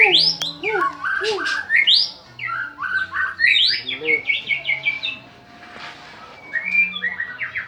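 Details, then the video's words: Lure song of a champion white-rumped shama, used to spur other birds into singing: sweeping upslurred whistles and quick trilled bursts, then a short lull and a renewed burst of sharp notes, with a steady low hum beneath. "BURUNG MURAI PALING GACOR||PANCINGAN PEMULA.BURUNG JUARA"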